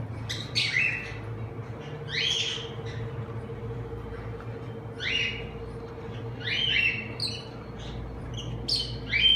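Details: A semi-adult cockatiel pair in Madurai, India, gives repeated harsh, rising chirps and squawks over a steady low hum.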